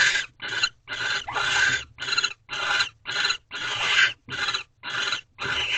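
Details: Barn owls in a nest box during a nighttime mating ritual at 2:15 am on 3/3/23, thirteenth night: a series of harsh, broadband hissing screeches, each about a third of a second long, repeated rapidly with short gaps.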